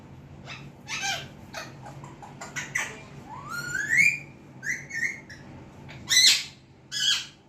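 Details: Pet Alexandrine parakeet starting to talk: a run of short harsh chattering notes and clicks with a rising whistled slide near the middle, then brief squeaky syllables and two louder raspy bursts at the end.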